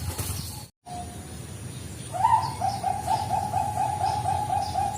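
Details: Zebra dove, Bangkok type (perkutut Bangkok), lure sound: after faint notes and a short gap, a rapid steady series of soft bubbling coos begins and carries on to the end.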